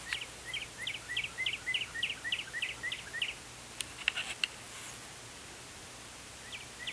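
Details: Singing cardinal recorded through a condenser microphone: a run of about ten quick slurred chip-like notes repeated three per second, then a pause with a few clicks and a short return of notes at the end, with steady background hiss.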